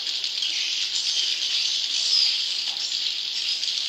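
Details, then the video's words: Swiftlets inside a swiftlet house twitter continuously in a dense, high, buzzy chorus of overlapping chirps, with no pauses or other sounds. "suara burung walet dalam kandang"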